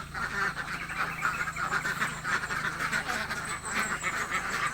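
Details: Very hungry ducks in a village give a constant stream of coarse quacks, the chorus dense and even, with a low steady hum beneath.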